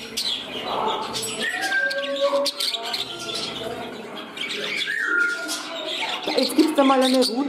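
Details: Pet parrots kept indoors in a new home, one bird growing temperamental while another courts its companion; varied whistled notes and short squawks, some sliding down in pitch, over a steady chattering background, with a woman speaking German nearby.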